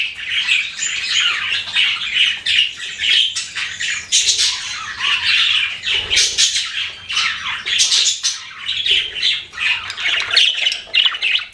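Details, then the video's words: Budgerigars kept as pets chatter steadily, a long run of scratchy, squawky warbles and sharp chirps from several birds, rising and falling in loudness throughout. "BUDGIES CHIRPING SOUND"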